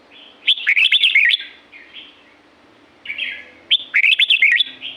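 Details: A wild red-whiskered bulbul in La-u forest repeats a lively, chattering whistled phrase twice, about three seconds apart, each a burst of quick slurred notes with softer trailing whistles.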